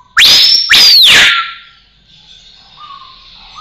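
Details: Rose-collared Piha song: two loud ringing whistles, each sweeping sharply up then sliding slowly down, followed by quieter low whistled notes and faint background hiss.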